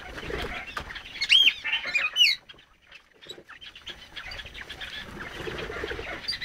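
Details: Crested partridge (roulroul), tame birds with their chicks, a breed that nests easily and raises its own young; two short rising whistles near the start, then soft scratching and rustling.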